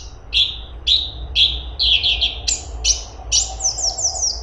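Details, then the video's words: Grey-cheeked bulbul (cungkok) sings rich, falling whistled notes roughly twice a second, each with a sharp start. The notes build into faster, higher descending phrases at the end. A low background rumble is audible. "CUNGKOK ISTIMEWA !! Cungkok super gacor besetan rapet"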